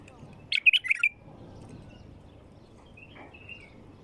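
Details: Wild bulbul singing, played to stimulate another bulbul to sing: one short bubbly phrase of quick warbled notes lasting about half a second, then a faint thin whistle trailing off, over quiet background.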